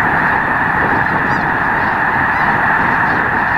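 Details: Snow Geese by the million at Loess Bluffs National Wildlife Refuge on a fine February 2020 day, their massed honking blending into a constant, even clamour with no single voice standing out.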